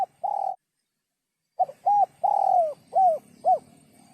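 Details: Spotted dove calling in sấm chuông style to stimulate males and females; a flat mellow coo, a pause, then a phrase of arched coos around one long sliding note.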